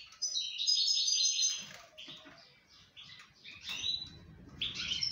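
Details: Singing Moroccan goldfinch during breeding season: a loud, rapid jumble of bright twitters and metallic tinkles, followed by short separated chirps and a final quick twittering phrase, with faint low background rumble.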